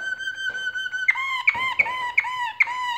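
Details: Canaries singing while building their nest: a steady whistled tone with bright overtones, then a run of loud clipped notes, each sliding downward, repeated about every 0.4 seconds.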